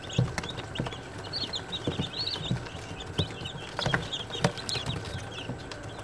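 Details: Group of day-old chicks, Australorp breed, giving quick high peeps in loose bursts, mixed with dull knocks and thumps and a constant hum.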